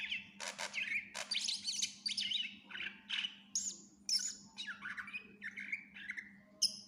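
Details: Greater green leafbird in gacor full-isian tutor song: harsh rasping bursts and scratchy chatter at the start, then varied whistled slurs and high sharp notes in quick succession, with a steady low hum throughout.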